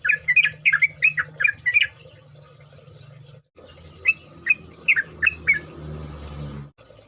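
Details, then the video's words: Yellow-vented bulbul in a chorus recording, used as a lure to make birds sing: a burst of short bubbly, warbled notes, a pause, then a second series, over a steady high hiss and a low hum. "pancingan trucuk agar bunyi, trucukan ropel, trucukan gacor"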